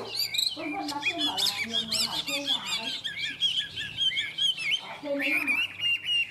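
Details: Caged Chinese hwamei from Vietnam delivering loud, fast jumbled song phrases of whistles and harsh notes, with a short quieter gap midway before the bird resumes; a low hum sits beneath.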